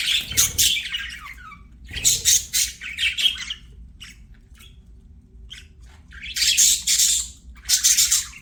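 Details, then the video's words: Budgies singing and playing: separate bursts of harsh squawky chirps and scratchy warbling, broken by quieter stretches with soft ticks, then two more bright chattering bursts near the end. "BUDGIES SINGING PLAYING"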